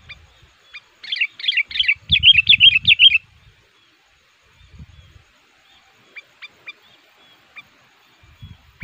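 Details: Sooty-headed bulbul kept as a decoy for luring wild forest males, called fierce and very vocal; a dense two-second burst of rapid liquid chirps, then scattered soft clicks and faint thuds.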